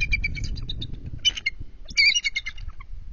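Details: Bald eagle pair at a nest on high alert after intruder attacks, calling during a nest switch just after midnight in February: bursts of high, squeaky, rapid chittering notes in stuttered series, with rustling and thumps beneath.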